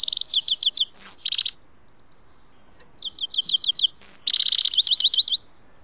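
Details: Grey-headed goldfinch heard during trapping: two bursts of high, liquid twittering with quick buzzy trills and a bright ringing note in each, separated by a short pause.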